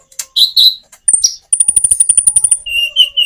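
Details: Common iora song with natural gaps, played to coax quiet caged birds into answering: varied chirps open into a long, very high rapid trill, followed by lower, steadier whistled notes.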